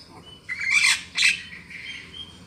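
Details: Black-winged myna lure call for trapping: two loud, harsh rasping squawks about half a second apart, followed by a fainter whistled note.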